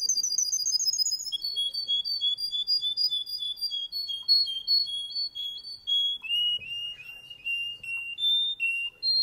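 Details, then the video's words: Male Russian canary singing: a quick high trill, then a chain of clear whistled notes, each held briefly and stepping downward in pitch, ending with a higher note. "Russian canery male singing"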